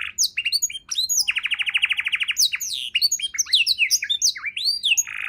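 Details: Canary with a richly varied song, used to train songbirds, pours out sweeping chirps, a long rapid pulsed trill, then many tumbling whistles and a harsh buzzy note at the end.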